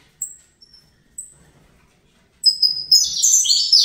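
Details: Captive-bred young Fibra Saffron finch: a few thin isolated high chips, a long pause, then a brief burst of rapid, sharp descending chirps.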